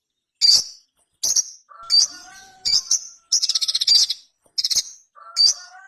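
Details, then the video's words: Sogon or Ruby-cheeked sunbird uttering separated high sharp chips and one rapid trill burst, alongside lower fluty whistled phrases. "SOGON GACOR KONSLET - KICAU SOGON GACOR JERNIH"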